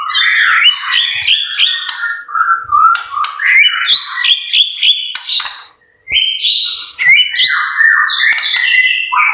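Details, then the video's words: Caged White-rumped shama singing energetically at a bird farm: a dense, varied stream of loud whistles, chattering trills and sharp high notes. Bursts are repeated in quick succession with one brief silent gap midway. "MURAI BATU GACOR"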